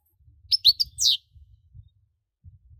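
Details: Singing European goldfinch giving a few sharp twittered notes and a downward-sweeping phrase over soft low thumping in the background.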